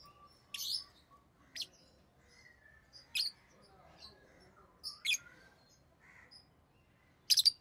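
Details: Pet rosy-faced lovebirds, orange-faced green and red-headed green varieties, give a run of about six shrill, abrupt chirps at irregular intervals, the final one a sharp double note.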